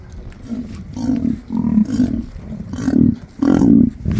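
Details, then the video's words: Emu gives deep, throaty grunting pulses, low and resonant, repeated in bursts roughly every half second to a second. "Listen To The Unique Sound Of An Emu!"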